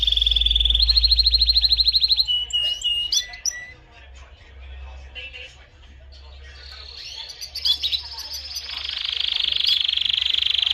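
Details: Canary song: bright, rapid high trills at the start and a long, steady, shrill rolling trill at the end. Between them come softer scattered notes with a man's voice faintly in the background.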